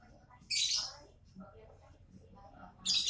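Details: Lovebird calling: two loud, piercing high screeches separated by a quieter stretch with faint softer notes.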